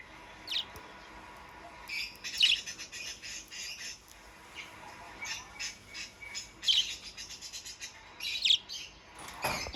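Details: Budgerigar chatter of rapid, scratchy high twitters and squawky notes, rising into louder bursts now and then, with a continuous warbling texture throughout.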